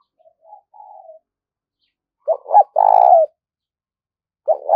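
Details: Decoy spotted dove calling to lure other doves: soft, low wavering coos, then a loud cooing phrase of two short notes and a long, steady, mellow coo, with another phrase starting at the end. Indoors, no other sounds.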